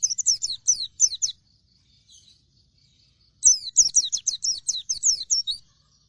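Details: Oriental white-eye of the dakun type pouring out two bursts of shrill, rapid, falling chirps, the second longer with about a dozen notes.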